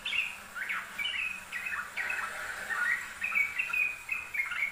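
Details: Yellow-vented bulbul singing persistently, a master recording for training birds: bubbly, liquid warbled phrases run almost continuously, with quick rising and falling slurred notes and a steady faint background hiss.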